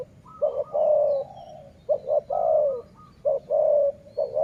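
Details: Rolling dove coos in the sai muang style used for decoying: three phrases of stuttered opening notes leading into long, gently descending coos, with faint background chirps.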